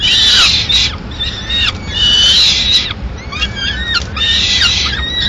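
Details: Peregrine falcon in Madrid, female arriving at the nest with pigeon remains for a mid-morning meal; harsh wails mixed with shorter slurred notes that dip downward, delivered in uneven bursts.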